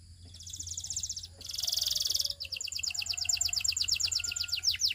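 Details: Russian canary singing: fast buzzy trills high and bright, a dense rattling burst near the middle, then rapid repeated downward-sweeping notes in a long rolling series, with a steady low hum beneath.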